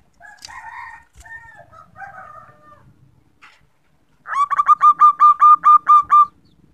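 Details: Recorded female zebra dove, played to stir males into song: after some quieter mixed calls, a burst of about ten bright, evenly spaced whistled notes repeated rapidly for two seconds.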